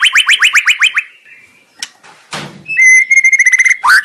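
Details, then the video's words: Shama song meant to provoke another shama to sing fiercely: a fast trill of sharp notes, then a knock and rustle, followed by a long steady whistle with a fine warble and a last swooping note. "murai lansung moncer nglabrak penuh nyali"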